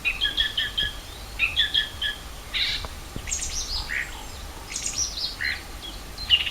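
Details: Several birds sing at Rogozyanske Reservoir in Kharkiv region on 4 April 2010. Clear, repeated whistled notes open the recording, then mixed high chirps and trills overlap from more than one singer.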